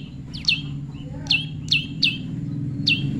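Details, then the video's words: Prinia, tame, in a natural pairing setting, giving sharp high chips, each a quick downward slur. About six are heard in three seconds, spaced irregularly, over a low steady hum. "prenjak lumut jodohan alam/prenjak jinak/prenjak bawah/prenjak putih"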